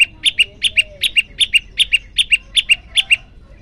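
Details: Prenjak lumut (Olive-backed Tailorbird) in hungry, lively song: rhythmic doubled high chip notes, the second of each pair a touch lower, delivered at a rapid, even pace of about two and a half pairs per second.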